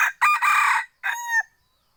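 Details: Crossbred second-generation (F2) junglefowl crowing: a loud harsh opening burst, a short pause, then a clearer drawn-out tonal phrase that ends abruptly.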